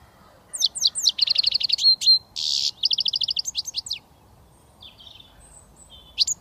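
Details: British goldfinch, young and just learning to whistle, delivers lively high twitters, repeated rapid trills and a brief harsh buzz, then fades to scattered soft notes and a final sharp slur.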